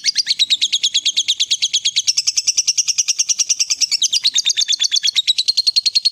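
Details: Lovebird of fighter type giving a long ngekek chatter meant to provoke a silent bird into singing: an unbroken run of rapid, even, high pulses with a slight wavering in pitch.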